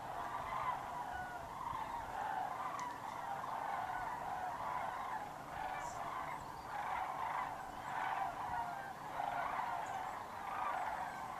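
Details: A low-flying flock of sandhill cranes migrating south over Georgia and Tennessee, captured on a GoPro: rolling, throaty trumpeting from many birds swells in waves every second or two, with a soft rumbling background.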